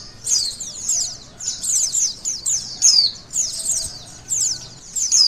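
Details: Rapid high-pitched twittering from a white-eye, in a test of a bird's emotion and arousal: about five bright, sliding chatter bursts, roughly one each second, over faint low hum.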